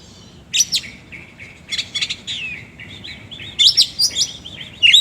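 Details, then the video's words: Magpie-robin in full ngobra song with rough fill phrases, giving bursts of sharp high chirps and rapid whistled trills spaced by short gaps, over faint low background noise. "BURUNG KACER GACOR NGOBRA ISIAN KASAR"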